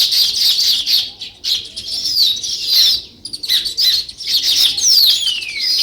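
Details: Several sparrows chirping, bursts of high overlapping chirps broken by short gaps, with a clear downward-sliding whistled note near the end.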